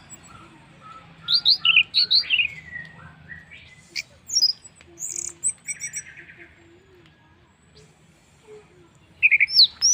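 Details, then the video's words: Orange-headed thrush song used to prompt other birds to sing: quick strings of bright, slurred whistles and chirps, some very high and thin, with a lively, varied delivery and brief pauses between them. "pancingan Anis merah paling ampuh bikin burung lain ikut bunyi"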